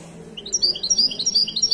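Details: Widani goldfinch from Morocco singing at a Casablanca bird market: a lively, unbroken string of clear, high, rising-and-falling chirps, about six per second, getting louder as it goes.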